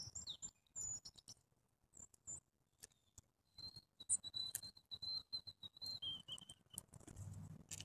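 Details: Grey-headed junco giving a steady run of short, even, high notes repeated on one pitch, dropping slightly lower near the end, with scattered clicks and taps around it.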